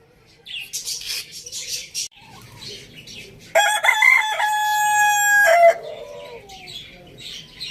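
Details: Village farm rooster crowing: after scattered rustling and faint bird chatter, a loud, long, sustained crow held steady for about two seconds before sliding down at the end, followed by softer noises.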